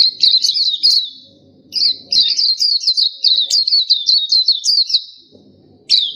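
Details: Black-capped white-eye (pleci topi hitam, dahi hitam) song used for training: high rapid warbling bursts of zigzag whistled notes, two long phrases separated by a pause, with faint low background rumble.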